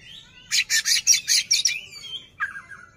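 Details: Caged white-rumped shama, kacer, playing and opening its tail to provoke a rival; a burst of six loud harsh buzzy notes, then a sliding whistle and a lower whistled phrase.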